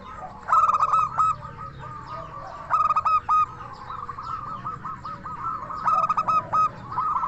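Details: Lure song of a local zebra dove, 'crystal voice', for provoking answers and arousing breeding mood in other doves: quick clusters of short, bright coo notes repeated several times, over continuous softer rolling coos from further doves.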